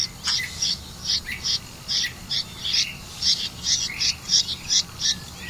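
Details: Red-vented bulbul with crickets for its young; evenly spaced short high chirps, about two or three each second, sharp and bright.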